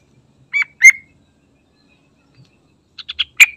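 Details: Yellow-vented bulbul (trucukan) giving short sharp chirps in two pairs, then a quick run of four clipped notes ending in a louder accented chirp; quiet background.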